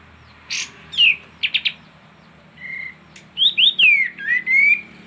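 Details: Kapas tembak in full song, used to lure silent birds into singing: sweet whistled notes sliding down and up, short clipped chirps and a steady level whistle, delivered in a lively varied phrase over faint background hum.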